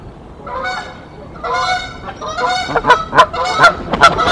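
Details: Canada geese at a nest site during an intruder goose's attempt to take over the nest; mixed harsh honks and nasal calls building into loud, rapid overlapping honking toward the end.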